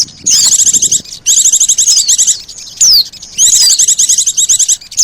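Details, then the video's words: Lure calls of white-eye mixed with sogon, meant to draw birds in: bursts of rapid, high, twittering trills a second or so long, broken by a single steep descending whistle. "SUARA PIKAT BURUNG PLECI DAN SOGON"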